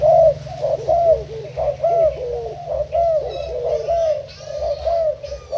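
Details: Thailand-type spotted dove used as a decoy, April 2018: a rolling run of husky coos, roughly one per second, with faint higher chirps and a low background drone.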